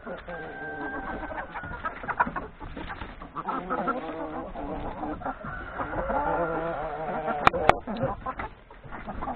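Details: Hens with three roosters eating breakfast in a farmyard before forest grazing; continuous soft, wavering clucks and low purring calls from many birds overlap, with a couple of sharp clicks near the end.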